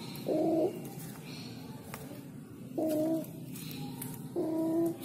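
A spotted dove gives low, hollow coos in short bursts, three phrases spaced about two seconds apart, with faint high chirps from other birds behind.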